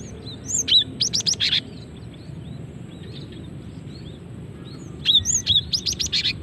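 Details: Female cinereous tit, used as a lure call: two short bursts of high chirps and quick whistled slurs, the first near the start and the second near the end, with a low, steady background rumble.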